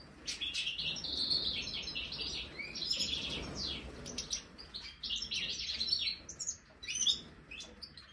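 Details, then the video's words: European goldfinch (major form) in an aviary, given a marigold snack, sings long bursts of tinkling, chattering notes broken by brief pauses, with sharp high chips and rolling buzzy trills throughout. "Stieglitz Major Voliere Snack Try 🌱 Tagetes European Goldfinch Cardueli الحسون الرائد"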